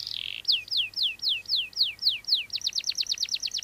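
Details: Canary song for training other birds, 3-in-1 style: a buzzy opening note, then a series of clear descending whistled slurs about four per second, ending in a faster rolling trill of sharp repeated notes.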